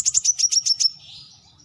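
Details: Brown-throated sunbird giving a rapid series of seven sharp, high chips, evenly spaced and slightly rising, ending in a faint fading trill, all packed into under a second.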